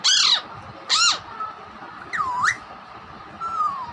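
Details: Pet raw parrot imitating a hen, whistling and speaking: two loud harsh squawks, then a swooping dipping whistle and a soft falling whistled note, with a faint steady hum behind.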